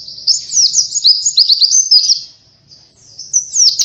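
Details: An Oriental white-eye sings a lure song: a second and a half of busy, high, zigzagging chirps, a near-silent pause, then a few renewed sharp notes at the close.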